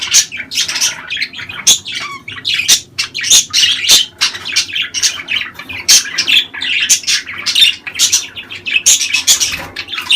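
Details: Budgerigar calls used to encourage breeding: busy, twittering warble of quick chirps and scratchy squawks, many short notes packed closely together without pause.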